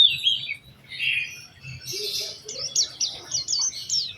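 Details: Lure song from a white-eye to get other white-eyes singing: softer blurred warbles at first, then a run of clear, rising-falling whistled notes repeated about twice a second.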